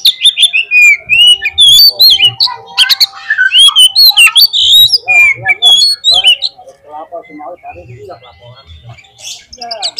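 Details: Oriental magpie-robin lure song for prompting a bird to sing on the field. A dense, fast stream of varied whistles, trills and chips runs continuously, then softens toward the end.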